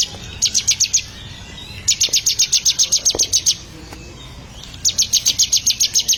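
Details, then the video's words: Bar-winged prinia being trained to sing more: three bursts of fast, evenly spaced, piercing high notes, each series lasting one to two seconds with quieter gaps between, over a faint low rumble. "Melatih Burung Ciblek Agar Gacor"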